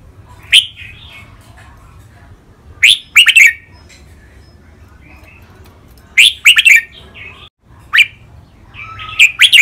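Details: Red-whiskered bulbuls, two caged birds, training song with len rik, boen, lak wai, mae bot and nap dok styles: rich burbling whistled phrases of two to three notes every few seconds, with soft trailing warbles.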